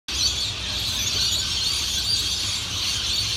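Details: A large flock of lorikeets in Cairns, 2018, gives a dense, unbroken wash of shrill, screeching calls, high-pitched and hissy, with a faint low rumble underneath.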